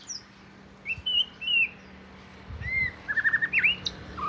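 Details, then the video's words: Oriental magpie-robin, southern Thai binla form, the household's first bird, singing varied clear whistled phrases: short slurred notes, then a quick stuttering run and an upswept whistle over a quiet low hum. "นกบินหลา ( ใต้ )"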